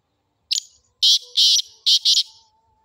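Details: Sindhi black francolin (kala teetar) calling: a short sharp opening note, then four loud, harsh, grating notes in two quick pairs over about a second and a half. The background is otherwise quiet.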